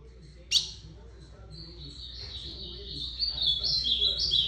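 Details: After a single sharp click, an ultramarine grosbeak delivers a softer, sustained warbling song of high sweet notes that becomes louder and more varied toward the end.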